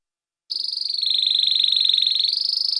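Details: A captive Atlantic canary gives a special song, used to teach young birds. It is a fast, even, high-pitched rolling trill of many pulses a second, held steady for over two seconds.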